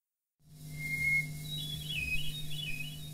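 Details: One song strophe of a hermit thrush: a long, pure whistled note, then higher, fluting, wavering phrases, with a steady low hum underneath.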